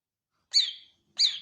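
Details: Two bright, high, downward-sliding whistles from a greater green leafbird, about half a second apart, in an otherwise silent background.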